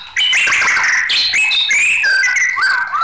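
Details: White-rumped shama singing in an agitated state, a loud, continuous stream of bright whistles, slurs and scratchy notes with no pause.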